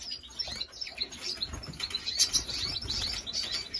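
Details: Goldfinch and female canary hybrid in dense, continuous high twittering song, quick chattering chirps and thin tinkling notes running together without a break.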